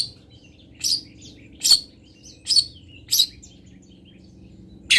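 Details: Long-tailed shrike tutor recording of fill-in song from Pati: five separate rasping, buzzy notes spaced roughly a second or less apart, with faint thin whistles between them and a quiet background.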